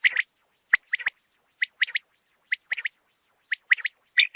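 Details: Rain quail notes played to lure birds for hunting: sharp doubled and tripled chips repeated about once a second, ending in a louder burst.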